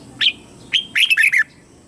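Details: Lure red-whiskered bulbul singing to draw wild rivals into a fight: a quick phrase of clear chirped notes, two short whistles followed by a tumbling run of bright, warbling syllables.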